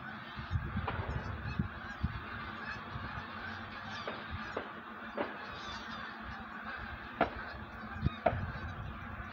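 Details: Pre-migration flock of wild geese keeps up a busy chorus of overlapping honks, punctuated by repeated sharp cracks and low thuds.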